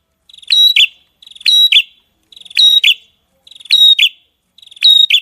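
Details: Songbird in a masteran recording of gacor singing: five matching phrases about one second apart, each a quiet rattling lead-in, then a strong high note and a falling lower whistle, clean background.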